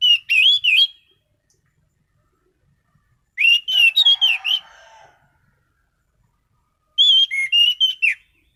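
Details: Orange-headed thrush singing actively: three bursts of loud, fast whistled phrases mixing clear slurred notes with sharp chattering, separated by silent pauses of about two seconds.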